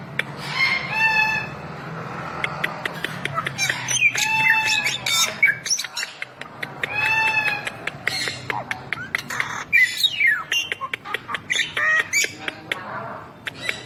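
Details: Bali myna song: a busy mix of rapid dry clicks, harsh chatter and nasal, ringing drawn-out notes, delivered in dense bursts with short lulls.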